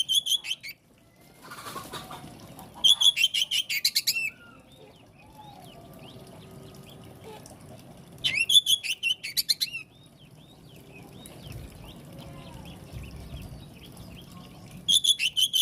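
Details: Oriental magpie-robin, a kacer meant to prompt other kacer to answer, giving short loud bursts of rapid bright repeated notes separated by long pauses with faint chirps and a low background rumble.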